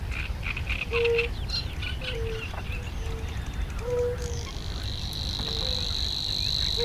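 Savi's warbler starts its steady, high insect-like reeling halfway through. It follows earlier scattered chatter and short low hooting notes from other reedbed birds, over a constant low rumble.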